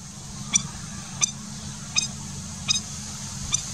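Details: A young Plumbeous Rail at Laguna del Diario, Uruguay, in February 2020, gives five thin, sharp, high ticks, roughly one every three-quarters of a second, over a steady low rumble.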